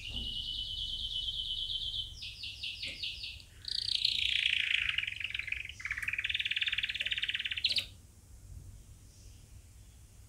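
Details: Canary song for training chicks, softer and against a faint background hiss: a steady high trill, a choppy stuttered phrase, then warbling rolls that suddenly stop, followed by near quiet.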